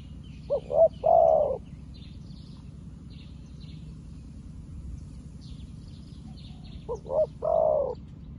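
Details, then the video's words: Spotted dove decoy calling to wild doves for trapping: two phrases about six seconds apart, each two quick notes then a long warm coo, with scattered faint high bird chirps in between. "លលកថ្មីមែន តែធ្វើហៅព្រៃដូចធ្នាក់ចាស់"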